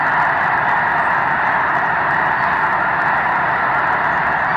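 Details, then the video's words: Huge flock of snow geese lifting off while dawn approaches in March 2018, around 750,000 birds present: thousands of honks blend into one loud, continuous clamour with no single voice standing out. "Snow Geese Blastoff"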